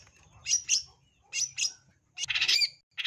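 Long-tailed shrike giving harsh, scratchy high notes in quick pairs, then a longer grating, chattering burst. No other sounds stand out.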